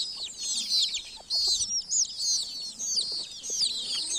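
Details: Baby chickens in a village peeping in a dense, overlapping chorus of high, thin cheeps, many short downward-curving notes running continuously with brief dips in loudness.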